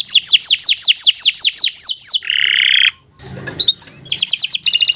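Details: Canary in long continuous song, used as a tutor recording for young birds: repeated falling whistled sweeps, then a harsh buzzy trill, a brief pause with a rustle, and bright rapid trills to finish.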